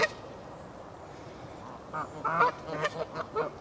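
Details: Canada geese in the castle park at Herten. A quiet start, then a run of about six short, nasal honks with rich overtones from the two-second mark onward. They are unevenly spaced and some overlap.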